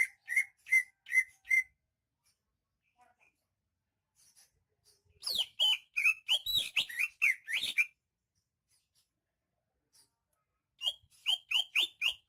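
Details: Greater green leafbird of Banyuwangi origin sings in bursts: four sharp whistled notes, then a fast tumbling run of about a dozen sweeping whistles, a pause, and another rapid series of rising, snapped notes.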